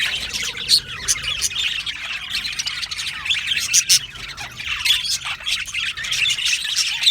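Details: Aviary flock of Australian budgerigars keeping up continuous high chatter, a mix of scratchy warbles and short squawky notes, with louder sharp calls rising from the din at irregular moments.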